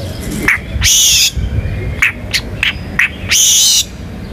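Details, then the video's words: Murai batu, the white-rumped shama, in a lively song with rolling and bursting phrases: short sharp notes near two kilohertz alternate with loud broad buzzy bursts, over low rumbling background noise. "MURAI BATU GACOR MANCING BURUNG LAIN BUNYI‼️ MATERI ISIAN NGEROL NEMBAK IRAMA LAGU LENGKAP ISTIMEWA"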